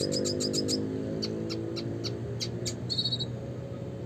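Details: Red siskin in a classic chattering song: rapid high chirps repeated about four per second, then a short buzzy trill, over a steady low hum.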